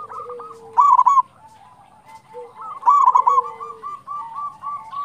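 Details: Local Indonesian zebra dove singing vigorously, used as a lure to draw and excite other zebra doves: loud rolling, stuttered coos in bursts about two seconds apart, with softer steady cooing from other doves in between.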